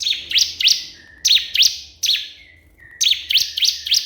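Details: Calling a rival, a crystal prinia gives rapid, piercing chirps in tight groups, joined by a faint buzzy tone between the phrases.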